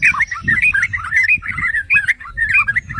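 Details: Trucukan, the yellow-vented bulbul, in a continuous warbling run of liquid, slurred notes rising and falling in quick succession. The song is played to provoke other bulbuls into singing.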